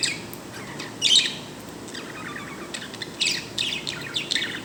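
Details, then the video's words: Pet bird giving a happy sound: a few squeaky high chirps, one louder burst near the start and a cluster of quick tweets toward the end, separated by quiet gaps. "my bird 🐦🐦 making happy sound"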